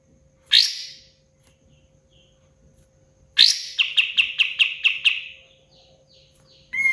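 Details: Pied fantail (kapas tembak) in full song: a single sharp high note, a pause, then another sharp note followed by a quick run of about eight clipped, evenly spaced chirps that fade out, with a low steady hum underneath.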